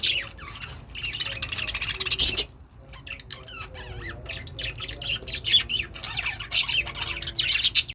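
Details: Budgerigars chattering and warbling: busy scratchy chirps and high squawks, a brief near-silent pause near the middle, then rapid twittering resumes over a faint low hum.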